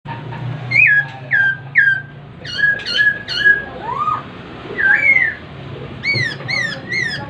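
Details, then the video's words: Masked laughingthrush singing a series of loud, clear whistled notes, each sliding and slightly hooked, repeated roughly every half second, with a lower rising whistle midway and quick triplets near the end over a faint low hum. "kicauan poksai hongkong"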